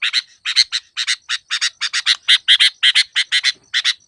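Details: Sooty-headed bulbul recording used as a trapping lure: dense bursts of harsh, buzzy chattering notes, roughly four to five per second, delivered in short clusters with brief gaps and no other clear sounds.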